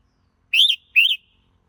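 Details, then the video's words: Red-whiskered bulbul singing: two clear whistled notes about half a second apart, each rising then falling with a slight bend, in an otherwise quiet background. "Chào Mào Hót Hay Nhất"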